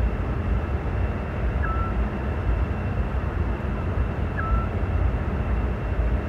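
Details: A Eurasian scops owl sings at dusk in May 2017 in Parque Lineal del Manzanares, giving single short, soft whistled notes about every two and a half seconds over a constant low rumble of distant traffic.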